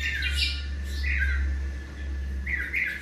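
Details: Tropical mockingbird about seven months old, giving short harsh squawking notes, one early, one near the middle and a pair near the end, over a strong steady low hum.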